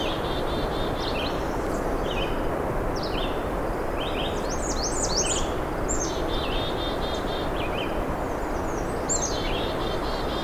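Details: Male American Redstart on a warm June morning along a narrow, shrubby trail at a park edge leading toward a wetland: high, thin, sibilant note groups in short phrases repeated every second or so, over a steady roar of low background noise.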